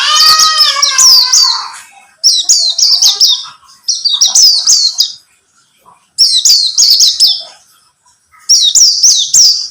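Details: Buxtomi-type white-eye song, played as a lure to get other white-eyes singing. High, bright phrases of quick descending and rising notes come in bursts of about two seconds, separated by short pauses. A lower harmonic note is heard at the start.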